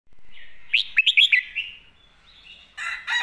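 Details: Red-whiskered bulbul, a caged songbird kept for song, giving a model song: a quick burst of loud, clear whistled notes sliding up and down, then softer warbling, with other birds chattering in the background.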